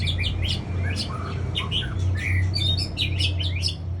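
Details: Lure song of a white-rumped shama from Aceh, played to draw in other birds: a dense, varied stream of sharp chirps, high whistles and short warbled phrases, with a constant low background hum.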